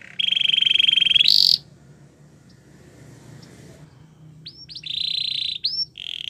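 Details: Belgian canary training song: a bright sustained trill, a long quiet gap, then short bursts of buzzy rolling notes.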